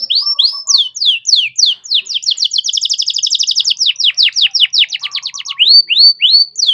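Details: Singing canary used as a training master for young birds: a long run of swift repeated descending notes that speed into a dense trill, then slow again into rising whistled phrases.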